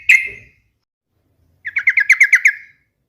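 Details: A single note from the yellow-vented bulbul, known locally as trucukan, is followed after a pause by a longer bubbling run of about eight rapid, evenly spaced liquid notes.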